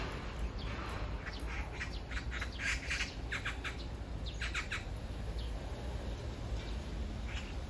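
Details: Magpie serenading a nearby partner, calling it to come closer: clusters of harsh, grating chatter notes in rapid bursts through the first five seconds, then quieter, with constant low wind noise.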